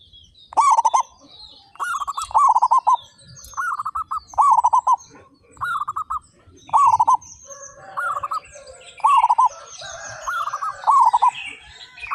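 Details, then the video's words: Loud, persistent singing from thirty-five local zebra doves: repeated rolling, beaded coo phrases from several birds, ten or so in twelve seconds. Busier high chirping and twittering join toward the end. "PERKUTUT LOKAL GACOR SUARA BESAR"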